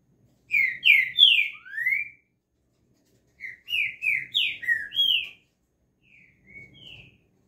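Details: Green-winged saltator (trinca-ferro) giving two full phrases of rich, slurred whistles, four to five notes each, the first ending in a rising note, followed by a softer trailing fragment.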